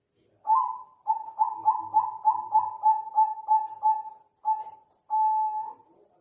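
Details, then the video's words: Bangkok-type perkutut (zebra dove) with a gentle, soothing cooing phrase: one lead coo, a quick regular series of about ten rolling notes, a lone short coo and a drawn-out steady final tone, with a quiet background. "Suara Unik Burung Perkutut Bangkok"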